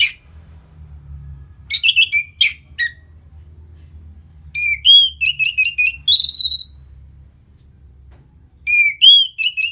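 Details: Orange-headed thrush song as a post-moult lure to make the bird aggressive: a few harsh strokes, silence, then a rich run of varied whistled notes and rising slurs, ending with a short whistled phrase after a pause.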